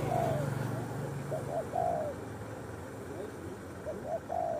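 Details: Wild roadside spotted dove in Indonesia, targeted for luring, giving soft low cooing phrases of a few notes with pauses between them, over an engine hum and faint voices.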